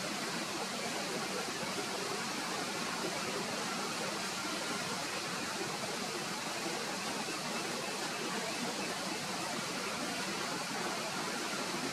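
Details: Steady, broad rushing noise like a waterfall or fast stream, with no clear animal calls.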